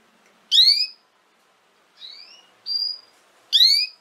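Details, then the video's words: Canary voice meant to teach young canaries to sing: a loud bright chirp with rich overtones, then a softer falling note, a thin steady whistle, and another loud chirp, all within four seconds. "Chant De Canari Pour Apprendre Au Jeune Canaries"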